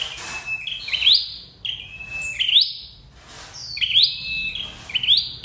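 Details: Red-headed flowerpecker call played as a trapping lure; bright high phrases, each a level whistle that jumps into a quick rising sweep, given three times with short pauses between.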